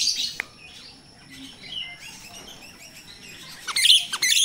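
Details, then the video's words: Jalak rio-rio myna recorded wild, as a lure for training captive birds: a harsh opening burst, soft scattered whistles and chirps, then a loud grating chatter at the end. "Suara jalak Rio-Rio asli alam// pancingan untuk jalak Rio-Rio bahan"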